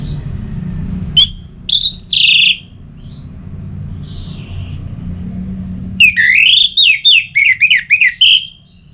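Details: Song of a caged orange-headed thrush from north Bali used to get birds singing: a few loud whistled notes, a quiet stretch with low rumbling hum, then a rapid series of rising and falling whistles.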